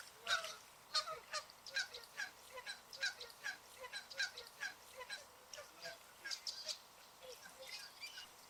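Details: Flock of Canada geese swimming on a lake and honking back and forth: a rapid, continuous chorus of short honks from several birds, overlapping at about three per second.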